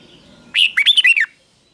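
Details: Red-whiskered bulbul giving its morning fighting song, used to train birds and spur wild-caught ones to sing: one short burst of five or six rapid, loud, bright whistled notes, rising and falling, after near silence.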